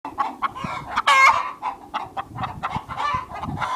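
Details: Hens in a productive hen house: a busy mix of clucks and short cackles from several birds, with one louder drawn-out squawk partway through.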